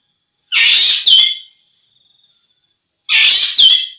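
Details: Common green magpie (Cissa chinensis) call: two harsh, rasping bursts about two and a half seconds apart, each ending in a short squeaky note, over a thin, steady high whine.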